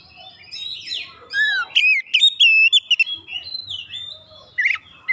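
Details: Oriental magpie-robin (kacer) singing fast and heated, beak open, showing off its repertoire: a rich run of whistled slurs, upward sweeps and sharp repeated notes, with loud clear phrases in the middle and faint low background rumble.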